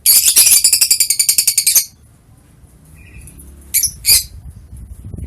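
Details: Lovebird recorded 21 March 2023: a fast burst of shrill, high buzzy chirps repeated about ten times a second for nearly two seconds, then quiet, a faint whistle and two sharp squeaks.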